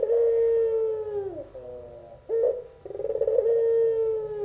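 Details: Young albino Barbary dove, puter pelung style, singing sweetly: a long, steady, low hooting coo that slowly falls, a short rough break, then a burst of rolling pulses swelling into another sustained falling coo.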